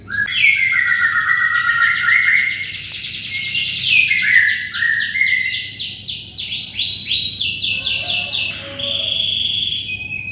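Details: Vigorous canary singing, intended as tutor song for white-rumped shamas. Rapid rolling trills sweep down and up through looping phrases, with dense, fast-pulsed chatter in between, continuing without pause.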